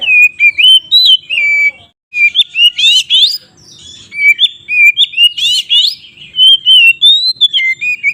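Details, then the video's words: Continuous energetic White-rumped shama song meant to make rival birds aggressive: clear fluting whistles mixed with harsh buzzy rising notes, rapid varied phrases with a short pause near two seconds. "suara BURUNG Kacer GACOR ngeplong KONSLET Tarung ini Paling Ampuh untuk PANCINGAN KACER agar EMOSI"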